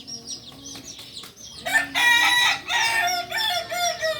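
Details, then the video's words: Kokok Balenggek chicken, a farm-raised singing breed native to Solok, crows loudly in a rolling, multi-part phrase from under two seconds to the end. Thin high chirping of small birds and a low hum sound beforehand. "Ayam kukuak balenggek ayam penyanyi asli solok"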